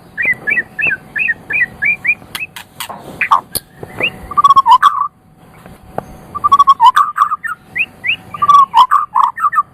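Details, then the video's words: White-rumped shama singing in a master recording for training caged songbirds: a quick series of repeated mid-pitched chirps, then sharp clicks, followed by loud, lower, rolling whistled trills with a short silent gap midway. "Ocehan Burung Murai Batu"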